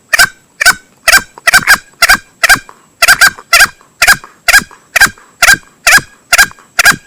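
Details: Male green junglefowl used to lure game: an unbroken run of loud, grating notes, roughly two each second, with doubled notes scattered through the sequence.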